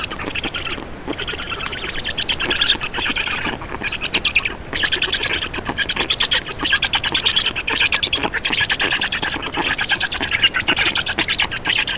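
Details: Nestling Black storks in Estonia begging while being fed at the nest, afternoon of 2 June 2019; continuous wheezy, grating chatter of rapid pulses, rising and falling in loudness without real gaps.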